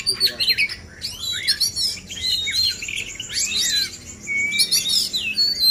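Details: Male oriental magpie-robins pitted in a song contest to encourage livelier singing: loud clusters of sharp chirps and sweeping whistles, with short pauses between bursts and one long steady whistled note near the end.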